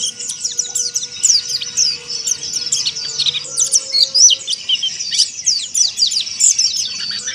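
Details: Oriental white-eye in 'ngeriwik kasar' style, the harsh chattering played to stir up rival birds. Continuous high, scratchy trills and downward-sweeping chirps packed densely, with a soft steady tone in the background.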